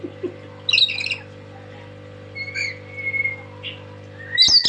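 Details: Loud, tame pet lory: a raspy squawk, then drawn-out thin whistles, ending in a burst of harsh squawking, with a steady background hum.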